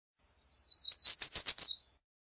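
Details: American redstart delivering one brief, very high song of rapid chipping notes that climb slightly in pitch toward the end.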